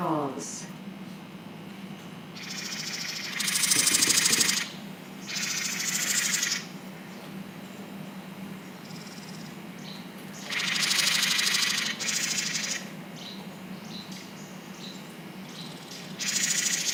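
House Wren giving harsh, buzzy mobbing chatters in bursts of about a second, spaced a few seconds apart.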